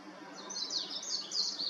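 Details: Warbling white-eye perched on an electric wire, giving a brief burst of high, bright, twittering warble notes, quick and slurred, over a soft steady background hum.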